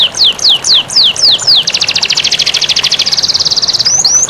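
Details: Canary song as a master recording to prompt lazy canaries, over flowing water: slow repeated downward-sweeping whistles, then a long rapid rolling trill ending in two quick rising slurs.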